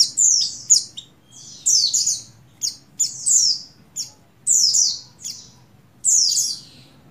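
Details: A female Oriental white-eye (buxtoni) in breeding condition calls to males with high, thin, twittering bursts, each half a second to a second long, repeated every second or two.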